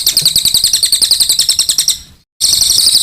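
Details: Ashy tailorbird (cililin) in full song, sharp and clear: fast, piercing high notes repeated in a steady chattering stream, briefly fading into a moment of silence, then resuming just as loud.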